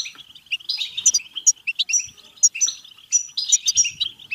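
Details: European goldfinch twittering, used to encourage singing and mating: quick bursts of high, jangling chirps and short nasal buzzes, phrases surging and easing roughly every second.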